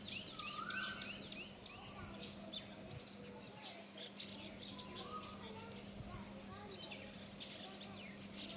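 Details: White-shouldered starlings (Sturnia sinensis) in Hong Kong in April 2017 chatter in a busy run of short, squeaky chirps and thin whistles, with an occasional lower slurred note, over a steady low mechanical hum.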